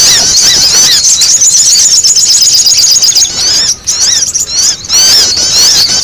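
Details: Sogon calls used for luring, a loud noisy chorus of many overlapping high, sharp chirps and squeaks without pause, a lure sound that brings flocks of this yard bird in when played back.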